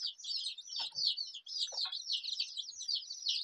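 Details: Colorful desi chicken chicks peeping nonstop, a dense chorus of high shrill cheeps overlapping with no pauses, plus a couple of soft lower clucks.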